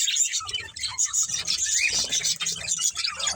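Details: A family of pet budgerigars chatters busily, mixing high chirps, quick warbled notes and a few short rising squeaks.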